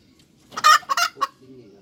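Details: ['Short hen cackle fragment: one loud drawn-out squawk followed by two quicker harsh clucks, rasping and rich in overtones, then faint low murmuring.']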